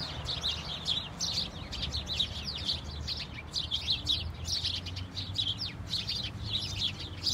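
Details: House sparrows in a flock, tweeting in falling snow: continuous busy chatter of sharp, high chirps from many birds at once, over faint low background hum.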